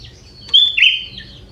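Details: A young sooty-headed bulbul from the forest sings a song with prinia elements. A single sustained whistled note dips into a buzzy middle before fading, over a quiet background.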